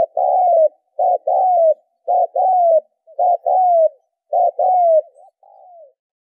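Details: Spotted dove used as a lure to train decoys. Paired coos, a short note and a longer note gliding down, come about once a second in six tidy phrases. The run ends with softer wavering notes and has no background noise.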